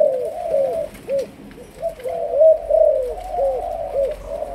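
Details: Young Malaysian spotted dove being trained as a decoy bird, giving soft, mellow cooing notes in short repeated hoops and rolling phrases at low pitch, with a quiet background.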